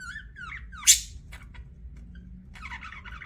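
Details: Budgerigar chirping indoors: a few short warbling chirps with rising and falling sweeps, one loud sharp squawk near the middle, then a burst of chattering warble at the end over a low steady hum.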